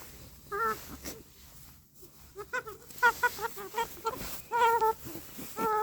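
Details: Chicken giving a run of short nasal, harmonic clucks and squawks, some in quick pairs, louder toward the end, over a low background murmur.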